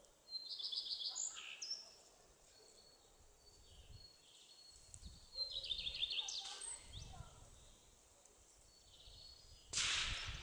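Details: A common redstart sings in pine forest beside a shooting range in Żory, Poland, on 3 May 2016 during a shooting competition: high, thin whistled notes and short jingling phrases a few seconds apart, ending with a brief rustling burst.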